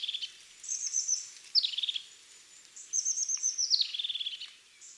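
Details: European Crested Tit, a year-round resident found mainly in conifer forests and small conifer stands in parks, sings one to three high, thin notes ending in fast bubbling trills, verses strung together with only brief pauses, giving a hurried feel.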